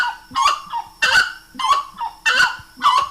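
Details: Grey-necked wood rail song: loud, harsh honking notes with rich overtones, given in paired bursts about every half second to second, with brief silent gaps between phrases.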